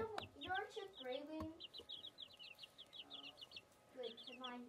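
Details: Baby chicks peeping: strings of thin, high, falling tweets repeated rapidly, about two a second, mixed with lower, rounder clucking notes at the start and end.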